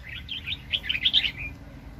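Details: Red-whiskered bulbul, a highly aggressive decoy bird used for trapping, recorded in 2020: a quick run of bright, warbling whistled notes lasting about one and a half seconds, loudest in the middle, with a faint low rumble behind.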